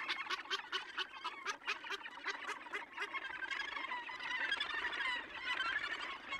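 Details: Gannet colony at Tongariro: a run of loud, regularly repeated harsh croaks for about three seconds, then merging into a thick, noisy chorus of many overlapping rasping calls.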